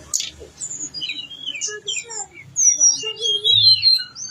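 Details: Energetic song of a blue-winged leafbird delivering its mimicked fill-in repertoire: varied separate whistles, some sliding down, others flat, building into a quick rising and falling chatter of very high notes near the end.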